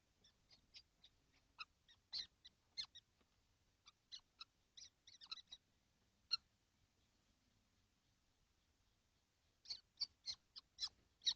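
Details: On a hot 12 June 2025, all seven kestrels sit together in a nesting box. Scattered thin, high chips come in loose clusters, with a long quiet gap before a final quick run of notes.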